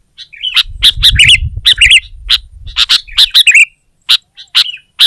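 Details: Sooty-headed bulbul in a rival-singing bout: loud, rapid chirps and twittering phrases crowd together at first, then thin out to a few isolated sharp notes, with a soft low rumble early on.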